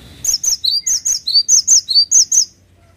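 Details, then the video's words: An energetic cinereous tit song of about eleven sharp, high whistles, sliding downward and alternating in a steady two-note rhythm for two and a half seconds. "GELATIK WATU GACOR"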